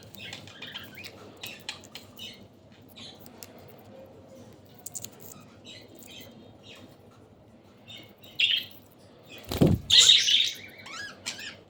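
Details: Several budgerigars feeding on kalmi shak (water spinach) at Katlapur, Savar, Dhaka: scattered, brief high chirps through most of the stretch, a sudden thump, then a louder burst of squawky chatter near the end.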